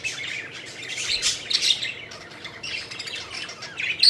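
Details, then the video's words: Budgerigars having fun and fluttering around, chattering continuously in a dense, scratchy, high warble with squeaky notes and a sharp whistle at the end. "Budgies Having Fun: Playful Birds Flying and Chirping Joyfully"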